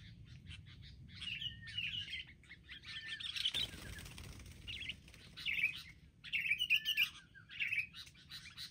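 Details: Wild sooty-headed bulbuls attacking in a group, later brought down: bursts of harsh chattering chirps with short slurred whistles, several birds calling between pauses, plus wing flaps and a low steady background rumble.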